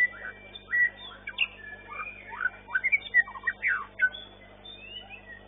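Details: Long-tailed White-rumped Shama at a bird-singing competition, session 9, class winner: loud whistled notes and quick rising and falling slurs in varied phrases, other competing birds faintly behind.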